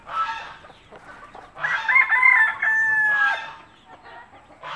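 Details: Native country hens with chicks, a mother hen calling her babies to food with a particular clucking noise; harsh harmonic bursts come in three uneven groups, the middle one longest with thin tonal streaks above.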